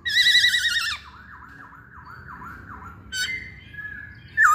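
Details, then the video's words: Masked laughingthrush singing vigorously: a loud, harsh, wavering harmonic phrase, then a quieter run of repeated downslurred whistles, another rough burst and a sharp closing note. "Burung Poksay Hongkong Gacor"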